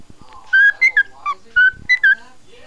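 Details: Pet cockatiel singing to a puppy indoors: clear whistled notes, some held flat and others sliding or warbling, in short phrases with brief gaps, plus faint clicks and soft background noise.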